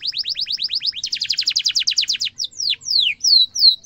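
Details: Canary tutor song for young and adult canaries: quick repeated chirps running into a dense rolling trill, followed by falling whistles and a few high arched notes.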